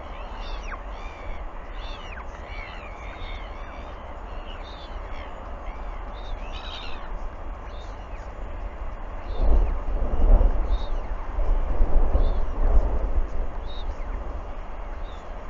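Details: Northern royal albatross chick Tiaki begs with a rapid run of rough, clattering calls over steady wind as a parent returns to feed it, 4 August 2021.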